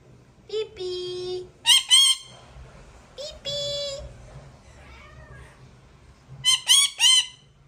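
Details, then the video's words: Male parrot calling his mate, alternating sustained flat tonal notes with sharp paired squawks. One double squawk comes early, a wavering note mid-way and a final burst of three or four rasping squawks near the end. "Male Parrot Calling his partner."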